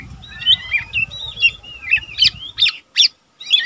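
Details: Lesser green leafbird, an untrained young cage bird that already sings readily, recorded as tutor material: a run of slurred whistled phrases that rise and fall, ending in sharp separate chirps with short pauses between them.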